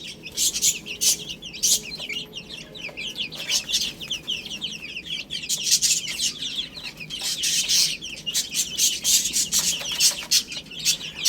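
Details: A brood of chicks pecking at spinach, a continuous chorus of shrill, slightly falling peeps, dense and overlapping, with scattered clicks from pecking.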